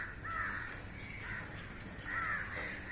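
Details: Two loud, gravelly caws a couple of seconds apart from a flock of crows feeding on flying insects above a rooftop, with fainter calls between.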